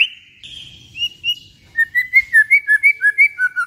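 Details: White-rumped shama singing, meant to stir kept shamas to sing: a few high whistles, then a quick run of about ten bright, evenly repeated whistled notes, slightly falling in pitch.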